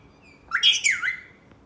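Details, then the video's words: A pet Black-capped lory gives one harsh, raspy, half-second bark-like squawk imitating a dog, apparently at its toy dog, after a faint thin whistle in a quiet room. "Parrot barking like a Dog"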